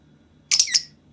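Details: A pet masked lovebird (Agapornis personatus) gives a single harsh, scratchy squawk, about half a second long, high-pitched and double-pulsed, in a quiet room; the owner says it imitates her sneezes.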